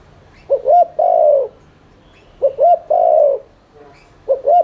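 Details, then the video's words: Spotted dove in rapid 'thúc liên thanh' cooing, used to stimulate other doves into cooing: low hooting phrases of two short notes and a longer drawn coo, repeated about every two seconds, two full phrases and the start of a third. "Cu gáy THÚC Liên Thanh kích bổi,mồi ức chế nhanh gáy/kích bổi nhanh nổi"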